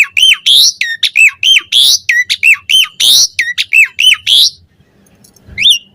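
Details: Asian pied starling training song: loud hooked whistles alternating with harsh raspy bursts in a rapid run, ending in near silence and one final whistled note.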